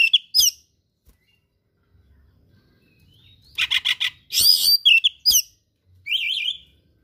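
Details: Oriental magpie-robin (kacer) singing a gacor song filled with rare imitated material: short bright whistled and chattering bursts, some trilled and buzzy, rising and falling, separated by brief silences, with no other sounds.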